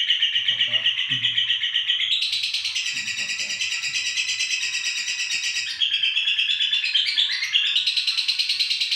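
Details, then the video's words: Indonesian female fighter lovebird chattering without pause, a harsh buzzy high trill that climbs higher after two seconds and wavers in later sections; brief low knocks in the background. "lb betina fighter #love bird Indonesia"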